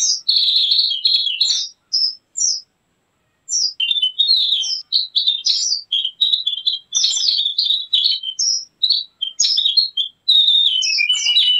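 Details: Javan grey-throated white-eye song used to lure wild birds and tutor caged birds: bursts of bright, high, rapid twittering, a short silent gap near three seconds, then continuous chattering phrases to the end.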